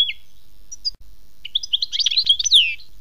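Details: Goldfinch singing in the khmis melyana style. A falling whistle comes first, then after a pause a rapid, liquid, tumbling twitter of many high notes that ends in a long descending buzzy slur.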